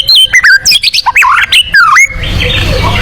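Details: White-rumped shama competition-style 'tembakan' song: loud, fast, sweeping whistled notes jumping up and down in pitch for two seconds, then a hiss of noise.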